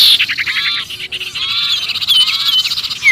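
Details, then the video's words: Trapped-sounding sirpu distress chatter, a lure recording for small birds: rapid stacked chirps, buzzy trills and a few sharp downslurred whistles, continuous and agitated throughout. "suara pikat sirpu Ribut kejepit"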